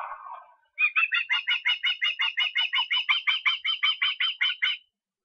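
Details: Osprey calling in Estonia on 23 August: after a brief rustling noise, a steady series of about twenty high whistled, downslurred notes repeats rapidly for four seconds.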